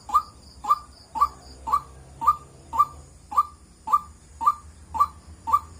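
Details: White-breasted waterhen giving its wak wak call: short, clipped, slightly rising notes repeated steadily about twice a second, eleven in a row, over a faint low hum.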